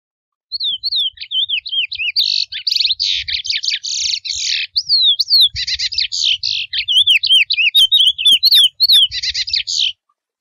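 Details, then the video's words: A wild chestnut-bellied seed finch sings a long mateiro-type song lasting about ten seconds, mixing quick wavering whistled slurs with dense buzzy rattles in fast succession, hardly pausing. "CANTO do CURIÓ SELVAGEM MATEIRO: CANTO NATURAL e LINDO!"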